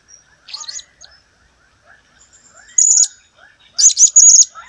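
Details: Blue-crowned hanging parrot giving sharp, very high, buzzy squeaky bursts in two loud clusters. A softer series of lower, descending chirps runs underneath in the background.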